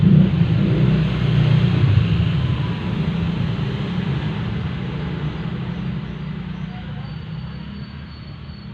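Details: Steady low engine rumble of passing traffic fills the recording, slowly fading toward the end, with no other distinct sounds.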